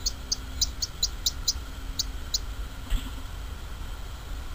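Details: Bluethroat singing outdoors: a string of short, high ticking notes repeated about every quarter second, slowing and ending after two seconds, followed by a soft lower note over low background rumble.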